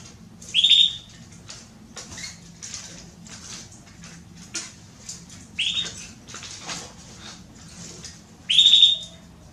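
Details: Female Belgian canary calling for mating: three short, bright chirps that sweep down in pitch, spaced a few seconds apart, amid soft wing flutters and cage rustling.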